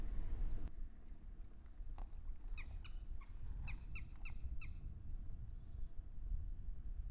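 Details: In Haryana, India, where it is a common breeding resident of open areas and wetlands, a red-wattled lapwing gives a quick run of about eight sharp, piercing notes over two seconds, against a steady low rumble of wind or distant traffic.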